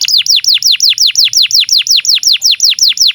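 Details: Tutor song of a canary for young birds and for canaries that have stopped singing: a very regular tour of loud, sharply downslurred whistled notes, about five per second.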